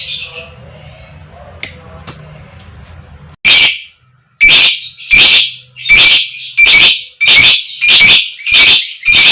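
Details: Female lovebird giving the koek-koek fighter call, used to stimulate other lovebirds to sing. After a quiet start with a few faint chirps, loud harsh shrill squawks repeat steadily, roughly every second.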